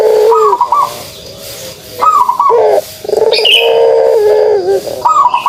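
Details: Pelung dove uttering kugeruk calls: brief throaty bursts alternate with a longer, wavering, low coo. A thin high chirp from another bird is heard midway.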